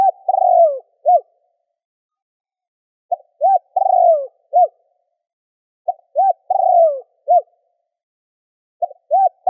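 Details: Spotted dove using gù, thúc and gáy gọi calling styles to stimulate a decoy bird. The phrases repeat roughly every three seconds: short clipped notes, a long slurred descending coo, then a short closing note. The background is silent.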